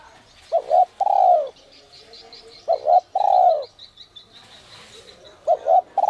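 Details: Spotted dove in 'giọng còi' (whistle voice) style, used to stir wild doves: two short clipped notes, then a long, loud, falling coo. The phrase repeats about every two seconds, with faint high chirping of small birds behind.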